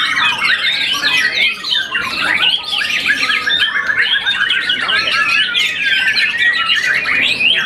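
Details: Once-moulted young white-rumped shama that won a contest, singing a rich stream of quick slurred whistles and scratchy trills, with a brief dip in the middle before resuming.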